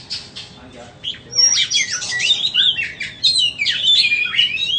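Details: White-rumped shama for sale starts with soft, scratchy chatter, then breaks into loud, tumbling whistled phrases that continue without pause to the end.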